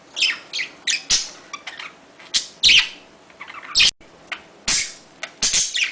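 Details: Budgerigars, a flock-living pet parrot, calling to encourage mating: scattered scratchy chirps and sharp clicks in short separate bursts, with a few softer warbled notes between them.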